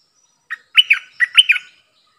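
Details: Decoy streak-eared bulbul, kept for luring wild birds and teaching young birds, gives a lively phrase of about six bubbly, slurred chirps in quick succession, clean and without other sounds.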